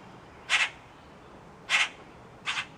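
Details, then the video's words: Loud young Common Grackles being rehabilitated in an outdoor aviary in Virginia; three short harsh noisy rasps spaced about a second apart, the last one doubled. "Short Grackle Video"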